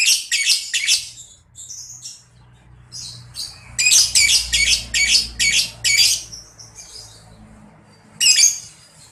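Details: Lovebird chatter in ngekek style, aimed at getting young lovebirds to reply: clustered rapid harsh squeaks, a long run of about eight grating notes mid-way, then a final loud squeal.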